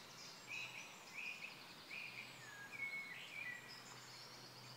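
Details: Black-necked grebe at Kala pond in Hostivice on 26 May 2016: short thin whistled notes, some slightly rising, given in an uneven series over a busy chorus of other small birds calling in the background.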